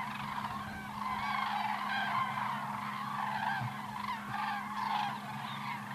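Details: Cranes in flight: a continuous chorus of overlapping rolling trumpeting calls from many birds, with a steady low hum throughout.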